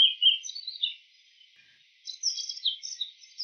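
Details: Wild bull-headed shrike mimicking other species: a burst of squeaky chattering notes, a second of near silence, then a fresh run of sharp, high whistled chirps.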